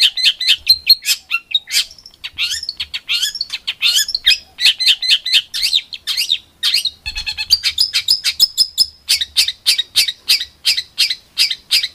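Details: Rough 'tembakan' masteran for competition songbirds: dense, sharp high chips delivered in quick succession, interrupted by fast trilled bursts before the rapid chipping continues.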